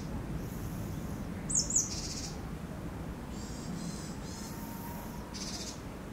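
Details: Eurasian sparrowhawk during the breeding season, with mating seen in mid-April 2021. A brief chattering call is followed by a faint series of rapid, repeated notes and another short burst, all over a constant low rumbling background.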